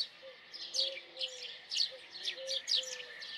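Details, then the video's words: Short run of house sparrow chirps, clipped and high, roughly one per second, with soft low tonal notes in between. "Common Sparrow Song ! Common Sparrow Sound ! Common Sparrow Call ! Sparrow Sound ! Sparrow Call"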